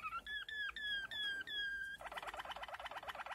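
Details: Waterslager canary (Malinois) giving a few drawn-out whistled notes, each bending down at its end, then switching to a quick bubbling rolled series.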